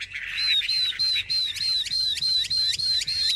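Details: A large-bodied, tame Chinese hwamei, a good fighter with a good voice, sings a fast run of loud, clear, high whistled notes, each slurring slightly downward, about three or four per second.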